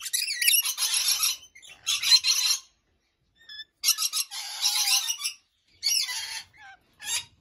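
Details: Lorikeets in an aviary in the early morning, several harsh, buzzy screeches in bursts about a second long, separated by short pauses, with a few brief thin notes in between.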